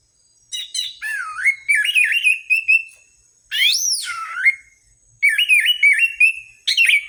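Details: Loud Orange-headed thrush song from a lure recording meant to stimulate other birds: wavering, looping whistled phrases that rise and fall, one sweeping high note arching down, packed into three rich bursts.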